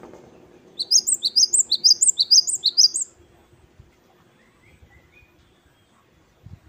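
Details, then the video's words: Gelatik batu wingko, the Great tit, gives a wucit-wucit kristal phrase: about ten rapid, high, sweeping two-part notes in a steady chain over two seconds, followed by quiet with faint low hum. "Gelatik Batu Wingko Gacor | WUCIT2 KRISTAL | Great tit birds | Parus Major"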